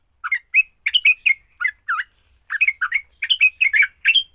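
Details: Sooty-headed bulbul in fighting song, the kind said to quickly make other bulbuls sing: clusters of bright, warbled chirps, a short pause midway, then a busier run of rapid notes.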